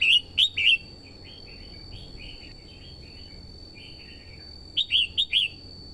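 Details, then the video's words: Female red-whiskered bulbul used as a decoy, singing to stimulate the male and lure wild birds: loud bursts of bright, warbled whistled notes open and close the passage, with softer, lower, rambling phrases between over faint background hiss. "TIẾNG CHIM CHÀO MÀO YẾU LỬA HÓT KÍCH BỔI MỞ MỎ HÓT SỔ CĂNG LỬA"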